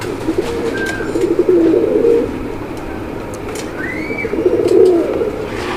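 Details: Deep, gurgling coos from a male Moyna Jhak pigeon, one of a black domestic pair at a Gazipur, Bangladesh farm in May 2025, two rolling phrases separated by a pause, with a short chirp from another bird and faint background noise.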